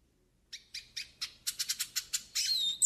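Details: Yellow-faced siskin in a tutoring and warm-up song, giving a spaced series of sharp, high chips that quicken into a faster run and end in a thin, drawn-out whistle.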